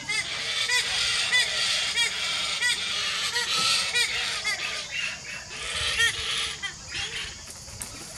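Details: Galahs, a pair of adults with a fledgling, in December near Nerang: a steady run of harsh screechy calls, several every couple of seconds, overlapping from more than one bird, with a man talking quietly underneath.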